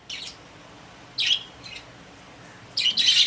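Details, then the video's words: Caged pet budgerigars, a few isolated harsh chirps spaced about a second apart, ending in a louder burst of rasping chatter. "My Happy Budgies | Spreading Love in the Cage"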